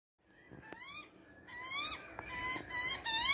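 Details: Baby Australian magpie calling out: harsh, rich rising squawks, first short and spaced, then longer and louder in quick succession, each sweeping upward and ending abruptly.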